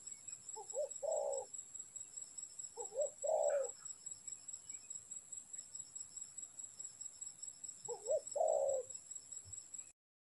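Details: Spotted dove calling, recorded for bird trapping: low cooing phrases of two or three notes, repeated about every two to five seconds, over a steady high electronic whine.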